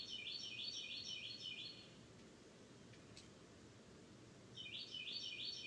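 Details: Florida birdsong: a high, jumbled twittering phrase lasting nearly two seconds, a quiet pause of about two seconds, then the bright twittering resumes, with faint steady background noise throughout.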